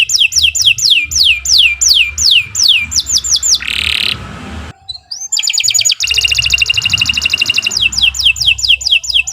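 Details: Canary singing a long, continuous 'gacor' song meant as a master recording for training other birds: fast runs of sharp downward-sweeping whistles, a buzzy burst, a brief pause, then a rapid high trill and more sweeping notes.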